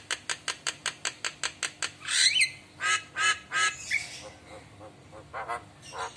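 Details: Javan myna in full song, nodding in response to other mynas' calls: a fast run of about ten sharp clicking notes, then loud harsh squawks and rasping phrases, ending with scattered chirps.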